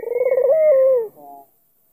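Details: Albino Barbary dove with a black neck ring calling to provoke a rival's reply: a single rolling coo, rapid pulsed notes merging into a steady, slightly rising hum that drops off, then a soft trailing tail.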